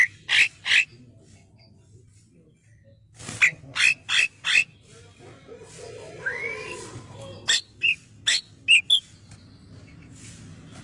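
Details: Male cucak kinoi bulbul, clear-voiced song for training other birds: short sharp chirps in quick bursts of two to four, a gap, then a rising slurred note and further chirps; faint low hum beneath.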